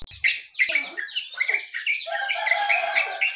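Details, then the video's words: Jongkangan, yellow-vented bulbul and white-eye in the morning: a click at the start, then bright, clear whistled notes repeated about every quarter second amid lively twittering. "Suara Burung Jongkangan, Terucukan , Pleci di pagi hari"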